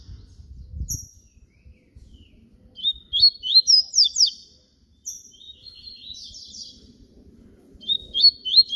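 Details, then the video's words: Yellow-bellied seedeater song in the flauta style, papa-capim baiano: a brief high note, then three phrases of fast, sharp descending and rising whistles, gaps of about a second between them. "papa capim baiano canto FLAUTA"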